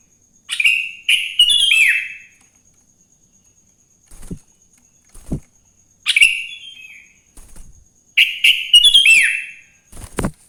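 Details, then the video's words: Wild sooty-headed bulbul singing in the morning, meant to prompt other bulbuls. Several bubbly, downward-slurred phrases repeat every few seconds, with faint clicks and low taps between them. "Suara Burung kutilang GACOR di Pagi hari‼️ Joss Buat Pancingan Kutilang Bahan Agar Cepat Bunyi"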